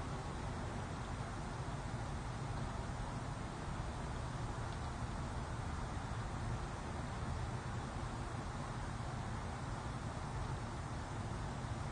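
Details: Steady low traffic rumble and broadband hiss fill the whole stretch, with no animal calls standing out.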